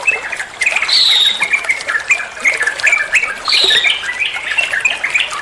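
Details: Bulbul (trucuan) song used as a tutor recording for other songbirds: rapid chattering chirps and short bright whistled notes, two higher rising whistles standing out, over a steady trickle of water.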